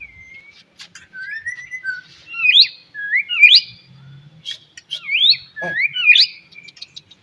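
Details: White-rumped shama singing in the morning, its song used to stimulate other shamas to sing: rising whistled phrases with sharp upward sweeps about once a second, mixed with short chirps and clicks, a faint low hum beneath.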